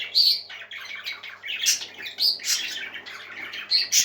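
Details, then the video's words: Several happy pet parakeets singing indoors: busy high chirps and warbles in bursts, with sharp bright squeaks every second or so over a steady low hum. "Happy Parakeets Singing"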